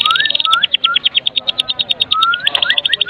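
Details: White-rumped shama of the Medan type in full lively song for luring other shamas: a steady high rapid chatter with low rising whistled notes woven underneath.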